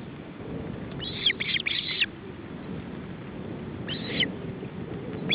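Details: During a feeding attempt at an osprey nest in Estonia, July 2012, with the male and his chicks: a harsh trio of loud squealing whistles, a pause, then one more, over constant low rumble.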